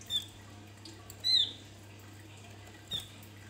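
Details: Male Javan white-eye singing with beak open, played as a lure for other birds: three brief, high, thin squeaky notes, one at the start, one after a second and one near the end, over a constant low hum.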